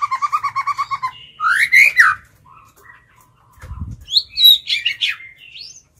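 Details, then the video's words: White-rumped shama, a tame decoy bird singing to lure wild birds and provoke them to fight, in a forest-style voice: a rapid run of about ten even, clipped notes, then loud swooping whistles, a dull low thump, and high varied phrases. "Chích chòe lửa mồi hót gọi bổi"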